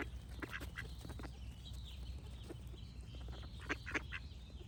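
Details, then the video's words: Duck quacking in scattered bursts, with a pair of louder nasal quacks near the end, over low background rumble and faint bird singing. "Cute Duck Quack Sound Effects with Birds Singing"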